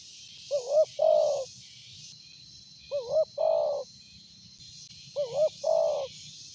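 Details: Spotted dove with a big voice, offered as a lure recording: three loud two-part coos, a short wavering note then a longer sustained one, repeated about every two and a half seconds over a steady high insect whine.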